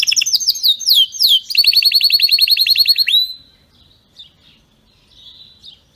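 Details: Strong canary song without mistakes, for canaries to copy: quick swooping whistled notes, then a steady fast trill of repeated slurred notes lasting about two seconds, followed by near silence with faint chirps.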